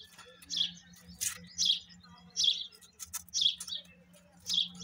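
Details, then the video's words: Female grey francolin calling: short, bright chirping notes, each slightly rising and falling, repeated about once a second, with sharp clicks and brief rustles between calls. "dakhni teetar femaie,gora desi teetar ki awaaz,irani teetar ki boli"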